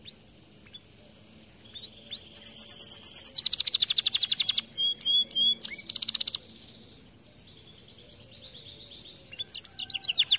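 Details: Lively canary song opening with a rising chirp, then a quick high trill of clipped notes, a few paired slurred whistles, and softer scattered twitters fading toward the end.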